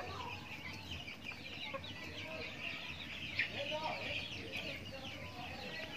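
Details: Backyard chickens during feeding; a steady blanket of soft, overlapping peeps and chirps from the flock, one brief louder note midway, and a low droning background.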